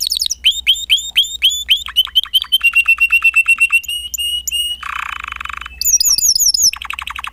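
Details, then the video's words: Canary, captioned as a Spanish Timbrado, sings a fast, varied song of rolling trills, metallic tinkling notes and a brief buzzy rattle, with phrases changing every second or so. "Kicau Kenari Timbrado Espanyol"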